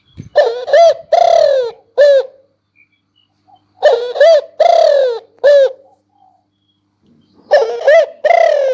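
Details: Spotted dove repeating a multi-note cooing phrase three times: short hoarse notes around a longer, mellow, slightly falling coo, with clear pauses between phrases.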